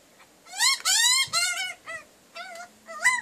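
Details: Magpies from a family visiting a backyard wood heap for breakfast give loud, drawn-out, harsh nasal calls with a rising then falling pitch, followed by shorter, quieter repeats.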